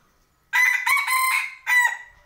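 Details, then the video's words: A domestic rooster gives a full crow: a sharp onset, a strong sustained harsh note, then a brief clipped final syllable, with a quiet background. "Tau so nyob tsev tso qaib dib qua saib mloog ua si"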